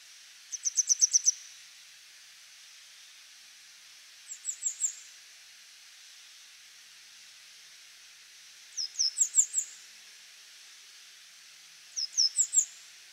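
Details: Grey wagtail singing while perched on a power line: four separate bursts of thin, very high, sharp notes, each burst a quick run of about four to eight notes, with silent gaps of several seconds between bursts.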